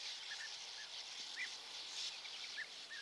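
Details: Several European bee-eaters in Hungary on 10 May 2024, early morning near perches set out for them, give short, rolling, liquid 'prrup' calls spaced irregularly about every half second, over a steady high hiss of insects or wind.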